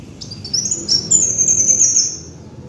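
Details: A brief, very high, sliding trill from a kolibri wulung sunbird on a lure recording, rising then settling into a fast level shimmer, with a faint low hum behind.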